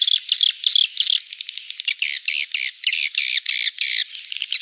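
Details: Edible-nest swiftlet mating lure call for the rainy-season breeding period: rapid, buzzy, rasping chirps repeated about three per second in a narrow high band, growing louder and harsher halfway through, with no other sounds.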